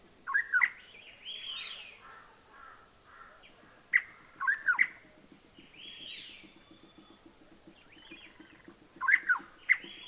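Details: Rusty-cheeked scimitar babbler in Himachal Pradesh, India, feeding, gives short, clear fluty notes in three brief bursts several seconds apart, with softer rustling and hissy sounds between.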